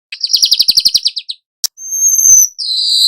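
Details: Young weaver in rolling song, used as a lure for other birds: a rapid chattering trill of about twelve notes, a sharp click, then long thin high whistles sliding downward.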